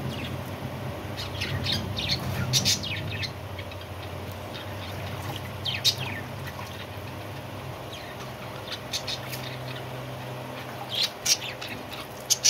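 Budgerigars chirp in quick, scratchy bursts over a low steady hum.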